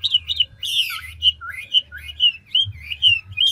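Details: Old wild-caught Chinese hwamei of the ngũ trường type, a large bird, singing with rapid, continual voice switching: clear whistled phrases repeated about twice a second, some slurred upward and others falling, with a brief harsh burst near the start. A low hum runs underneath.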